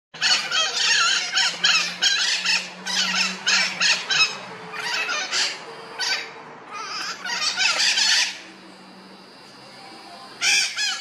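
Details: Red-shouldered macaws returning about an hour after leaving early in the morning, checking that their nest has not been taken by another bird; loud harsh squawks in rapid bursts, several birds calling together, with brief pauses between series.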